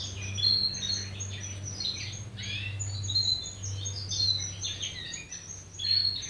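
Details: A young mixed-breed canary just starting to sing practices scratchy, high twittering phrases over a steady low hum.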